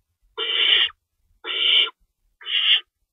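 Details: Early-morning feeding time at an owl nest, March 25, 2012, two rabbits in store: three breathy, rasping screeches, the last one shorter, separated by about a second of quiet.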